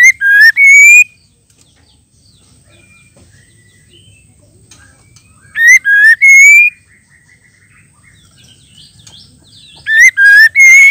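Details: Calling female white-rumped shama, meant to trigger singing in males; loud grating three-note whistled phrases repeated about every five seconds, three in all, with soft background twittering between them.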